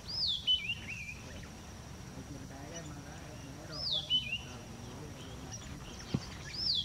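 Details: Red-backed scrub robin in song, its song varying between areas: high whistled phrases swooping downward into twisting trills, repeated roughly every three and a half seconds against quiet background hiss.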